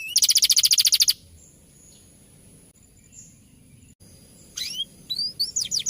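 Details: Canary singing in the rolling champion style used to tutor other birds: a fast, loud buzzing trill for one second, a few seconds of near silence with faint notes, then crisp high downslurred whistles resume.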